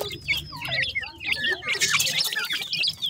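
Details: Grey francolin (dakhni teetar) chicks giving a busy stream of high, thin, downslurred peeps in quick succession, several overlapping, with scratchy rustling and clicking noises in the background.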